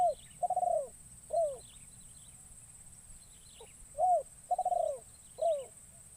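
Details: Captive young spotted dove, used for the first time to lure wild birds in the forest, gives two cooing phrases. Each is a curved coo, a rolling drawn-out coo and a falling coo, separated by a pause, with a steady high whine behind.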